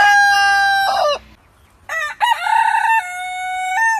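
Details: Rooster crow ending in a long steady tone, a brief quiet pause, then a second crow with choppy opening notes and a sustained, slightly stepped level tail.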